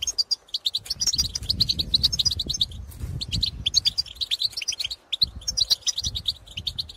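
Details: European goldfinches calling in open countryside. They give 'pitorreo' chatter and calls aimed at birds of their own species. Bright, liquid twittering notes come in fast clusters separated by brief pauses, over a low rumbling background.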